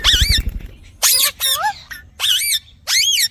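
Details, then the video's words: Ringneck parakeet talking: five loud, harsh, wavering phrases with squeaky, bending tones, each under half a second, in quick succession with short gaps, over a soft low hum. "Tohking Ringneck"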